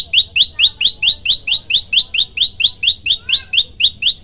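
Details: Chatty prenjak lumut, a prinia, in full 'tembakan' loud variation: around seventeen piercing upswept chirps in a steady, fast rhythm of about three per second, the style played as master song for training birds.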